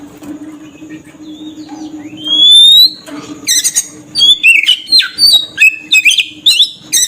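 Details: Oriental magpie-robin lure song for attracting birds: faint hum at first, then from the third second loud whistled notes, rising sweeps and sharp chirps in quick varied bursts.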